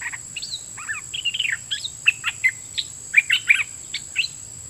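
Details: Red-whiskered bulbul decoy singing at wild birds. Quiet, scattered chirps and short slurred whistles come with irregular gaps, with a few brighter notes near the end. A steady thin whine runs underneath.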